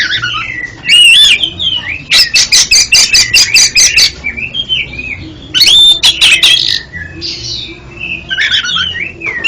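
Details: Oriental magpie-robin song used as therapy for a captive bird that stutters: loud, varied whistled phrases slurring up and down, broken by a burst of rapid, sharp, evenly repeated notes around the middle.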